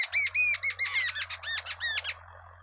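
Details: Wild babbler feeding two chicks; rapid continuous string of loud, arched, harmonic chirps, about five per second, insistent begging calls dominating, with a low steady hum beneath.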